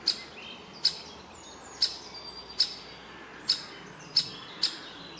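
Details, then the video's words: Great spotted woodpecker, a young bird that is the last one left in the nest after a rescue, with both parents nearby: sharp, high 'kik' calls, seven in five seconds at an uneven pace, over a soft rural hiss. "Der letzte Specht im Nest . Buntspecht woodpecker, great spotted woodpecker"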